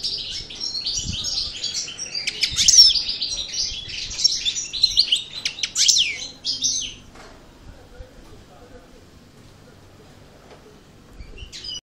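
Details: European goldfinch of the parva form, just out of moult, rehearsing a Cravaty D'el Bordj style song: a rapid, bright twittering stream of high chirps and trills for about seven seconds, then quiet with a faint final chirp.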